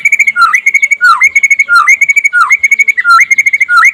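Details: Daytime white-rumped shama, a master recording to stimulate other shamas: continuous rapid bright whistles on one pitch, each phrase ending in a swooping downward hook, repeating about every 0.7 seconds.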